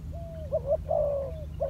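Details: Spotted dove used as a decoy bird, training on the ground: a few short mid-pitched coos with wavering, rolling notes and one longer drawn-out coo, over a steady low hum.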